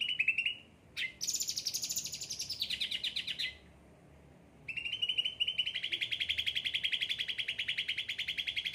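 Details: Pampered caged cucak ranting singing hard: a brief trill, a sharp click, a high descending rattle that steps lower, a silent gap, then a long rapid buzzy trill held steady.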